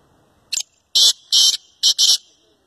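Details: Black francolin calling: a loud, harsh, grating phrase of five notes. A short note is followed by two longer rasping notes, then a short note and a final long one, all within about two seconds against a quiet background.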